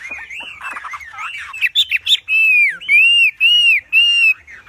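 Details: Wambi giving a loud, strong song used for training birds: wavering whistled phrases, then four long steady whistles of about half a second, each slightly arched.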